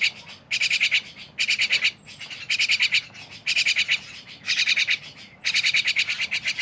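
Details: Lively, noisy mynas calling together: harsh, buzzy, rasping bursts, each about half a second long, repeated roughly once a second. Softer chattering carries on between bursts.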